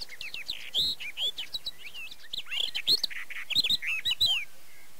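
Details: Barred warbler recorded at Erdőhorváti in the Zemplén, Tokaj, Hungary, in early May 2013 with a Canon EOS 7D: a fast, scratchy warbling chatter of short rising and falling notes, dense in the first and last seconds with a brief pause between.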